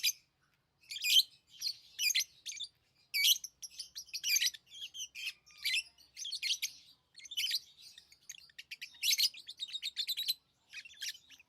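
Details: Tame lovebirds producing a long stream of sharp, high, rattling chirps in irregular clusters, getting busier toward the end, no other sounds.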